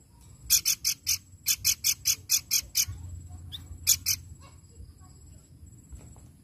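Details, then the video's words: Pelanduk bukit babbler song used as a lure: two quick series of harsh, buzzy notes, about five per second, then a short two-note burst, followed by near silence with a low hum. "Pelanduk Bukit Gacor Ampuh Pancing Bunyi"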